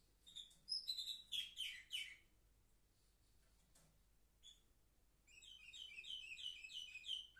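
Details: Seven-month-old canaries, recorded on 10 November 2023. A short burst of descending chirps gives way to near silence with a few faint notes. Then a fast, even trill of high repeated notes starts up.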